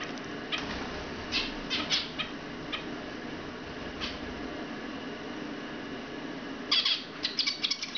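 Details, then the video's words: Young zebra finches, about two months old, very lively and curious, singing: short, nasal, buzzy notes in scattered bursts, a loose cluster early on and another near the end, over a steady background hiss. "Jeunes mandarins diamant Young zebra finches singing"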